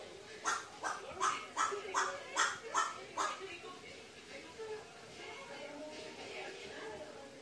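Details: Crow talking to itself, recorded 24 October 2018: a run of seven quick, hoarse, evenly spaced notes over about three seconds, then a faint murmur against steady background noise.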